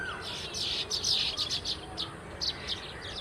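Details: Baya weaver flock chattering: bursts of sharp, high, squeaky chirps that come in quick uneven clusters, about three per second, above a low constant hum.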